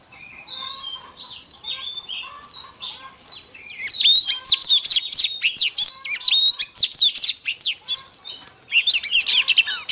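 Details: Female Oriental magpie-robin singing to provoke males: a long, varied stream of sharp chirps, whistled slurs and fast twittering notes that becomes busier and louder in the second half.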